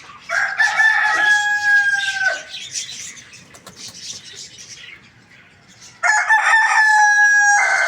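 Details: Rooster crowing in the morning: a loud, sustained, harmonic crow of about two seconds that drops sharply at the end, followed by a second crow starting near the close, with small birds chirping throughout.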